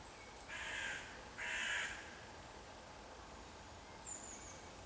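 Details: Black woodpecker (Dryocopus martius), a resident seen on a pine trunk in a park in Wrocław, Poland, on 7 June 2024, gives two harsh, drawn-out, crow-like calls about a second apart, then a thin high whistle from another bird.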